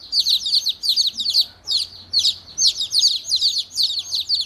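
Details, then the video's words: High, piercing chirps from angry baby chicks, arriving in quick clusters of downslurred peeps separated by short gaps, with a faint low hum underneath. "Angry Baby Chicks Chirping Sounds"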